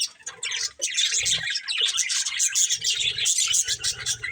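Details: Pet budgerigars from a breeding pair warble continuously, mixing scratchy chatter with clear high whistled notes, while a low hum and soft bumps sit beneath.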